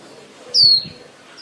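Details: White-eye female lure bird used in trapping, calling the flock: one loud, pure, high whistle that slides downward and fades, followed by a quiet pause and the faint start of another note.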